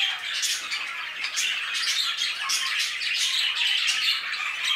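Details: Busy aviary of budgerigars, a continuous high chirping and chattering chorus of thin tweets and squawks, steady in loudness throughout.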